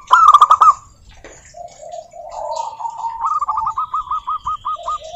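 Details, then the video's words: Zebra dove of the local type singing to coax other doves: a loud accented opening burst, a pause with soft lower cooing, then an even series of separate coo notes slowing slightly. "Suara Burung Perkutut Lokal Gacor OBAT MACET BUNYI, pancingan perkutut agar bunyi"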